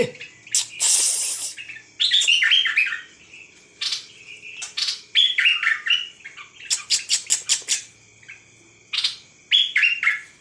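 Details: Nok dok taeng bird with an opening hissy burst followed by quick descending twitters and a run of short, evenly spaced sharp chips, a quiet hum behind.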